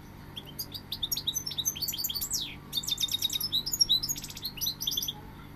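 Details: Goldfinch song in two long bursts of rapid, liquid twittering, mixing sharp rising chirps, buzzy rattles and high tinkling notes, with a brief pause in the middle and a quiet low hum underneath.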